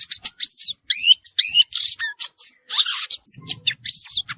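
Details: Violaceous euphonia singing in nature, a fast medley of high whistled slurs, rising and falling chirps and harsh buzzy bursts, closely packed; faint low murmuring appears near the end.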